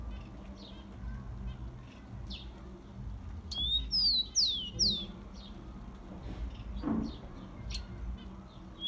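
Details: Rufous-collared sparrow warm-up song for stimulating kept birds: a brief rising whistle leading into three bright, sliding downward whistles, surrounded by a few thin chirps from other birds and faint low noise.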